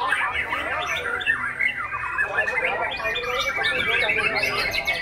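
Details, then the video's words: Performance by a young Oriental magpie-robin: rapid, tangled chatter of scratchy squawks and bright whistled slurs, growing higher and more insistent toward the end. "aksi murai junior"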